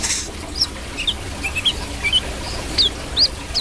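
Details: Brown-throated sunbird singing actively (gacor), giving sharp, high, arched chirps in an irregular series of about seven notes, with a soft background hiss.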